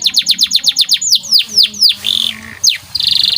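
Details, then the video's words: Canary training song from a white bird: a brisk series of falling chirps, several longer descending swoops, a buzzy rolling phrase and a closing fast high trill. "CANARY Gacor Cengkok Istimewa"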